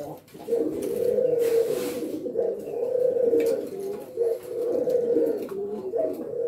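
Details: F1 hybrid male dove (male Island Collared Dove × female Ringneck Dove) courting: low, rolling coos in steady phrases about every two seconds, with a soft room echo.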